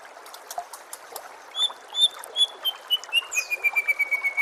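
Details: White-rumped shama song used to train kept birds: after soft chips come spaced clear whistles that speed into a fast, even series of about a dozen short notes, falling slightly in pitch.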